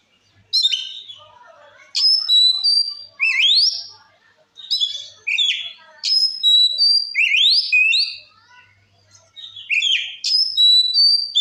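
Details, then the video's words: Repeated phrases from an Oriental magpie-robin singing loud 'gacor ngeplong' song to provoke other magpie-robins: about six similar bursts, each opening with a sharp high note, then level whistles and a swift upward sweep. "Suara Kacer Gacor Ngeplong Ampuh Memancing Emosi Kacer Lain"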